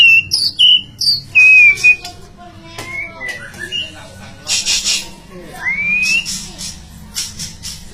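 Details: White-rumped shama of the Medan type singing loud, clear whistled phrases that slide up and down, with short chirps between them and bursts of harsher, noisy notes.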